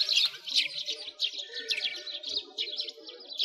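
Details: Sparrows chirping loudly and continuously in winter at a frozen lake in Bratislavsky Park, Moscow; many birds overlap in a busy high chatter over a soft low background hum.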